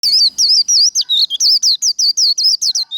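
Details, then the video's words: Japanese white-eye giving fast líu đấu fighting song, used to fire up birds in training: an unbroken run of quick, sharply wavering high whistled notes, about five per second, with no pauses. "Vành khuyên líu đấu | SIÊU HAY - Khuyên líu kích bổi, Kích lửa vành khuyên líu đấu"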